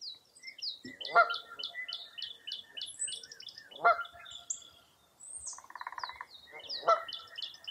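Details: Several wild birds calling on a foggy early April morning at Mirror Lake State Park, Baraboo, Wisconsin: a steady series of high, quick downslurred chirps, loud honking calls repeated about every three seconds, and a buzzy pulsed trill.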